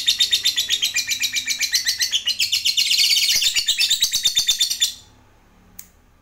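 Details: Lovebird call meant to make other lovebirds answer, a fast chattering series of shrill, harsh notes for about five seconds that stops abruptly, followed by near silence and one faint click.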